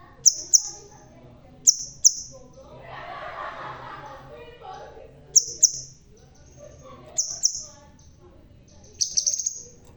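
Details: Bald crimson sunbird singing steadily with paired shrill high chips and a closing short trill, while a brief muffled voice and rustle intrude midway.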